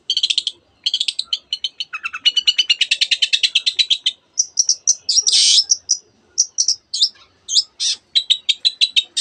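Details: Singing Long-tailed shrike copying canary and many other birds: fast rattling trills run into a long dense, buzzy warble, followed by scattered high whistles and chirps.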